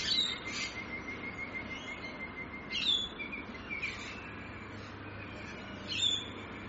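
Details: Rainbow lorikeets in Australia give shrill, harsh screeches in short bursts, a few seconds apart, over a thin steady high whine and faint outdoor background.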